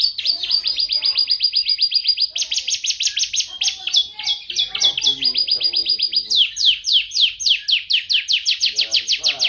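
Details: Champion canary singing energetically, chaining rapid high trill rolls that shift pitch every second or two, mixing buzzy runs, sharp downslurred notes and quick chatters with no pauses.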